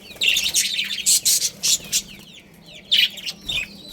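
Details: Breeding pair of budgerigars in a colony giving a string of loud harsh chirps in quick succession, a pause of soft warbling, then two more bright chirps.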